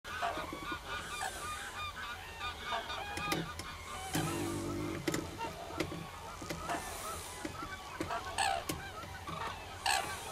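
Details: Common cranes calling in a busy chorus: overlapping honking, trumpeting notes with rich harmonics, several louder bursts near the start and end, sharp clicks scattered throughout, and a steady low rumble underneath.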